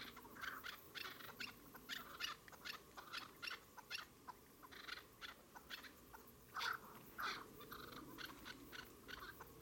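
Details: Chukar partridge giving rapid runs of short, harsh chucking notes, irregularly spaced and overlapping as if from more than one bird, against a low steady background hiss.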